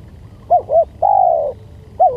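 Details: Spotted dove coo used as a lure sound: two short rounded coos followed by a longer, steady, mellow coo, then another short coo starting at the end, over faint low background rumble.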